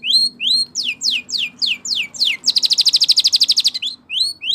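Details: Spanish Timbrado canary in a champion training song: a few upslurred whistles, a run of rapid falling sweeps, then a bright rapid trill before the rising whistles return.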